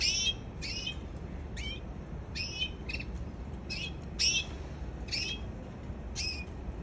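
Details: Canary calling with a run of brief, high, upward-flicking chirps, roughly one every half second to one second, with a low steady rumble underneath.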